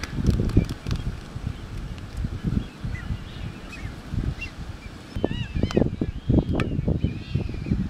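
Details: Waved albatrosses (Phoebastria irrorata) in a courtship display on the Galapagos Islands give rapid clattering bursts and short nasal, wavering honks, mostly in the second half, over a low rumble of wind.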